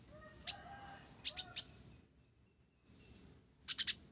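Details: Blorok olive-backed sunbird singing a sparrow-style fill, giving piercing high chirps: one single note, then a triple run, a brief silence, and another quick triple at the end.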